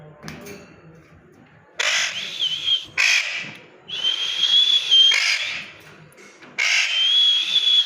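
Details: Parrot calling in loud, rough, hissy screeches, some carrying a wavering whistled tone, in several bursts of about one to one and a half seconds, with short quiet pauses and faint low background noise between.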